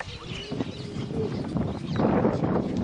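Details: Breeding colony of cattle egrets at Inkamana near Vryheid on 12 November 2007; low rasping croaks swell into a dense, harsh chorus in the final second, over a steady background din.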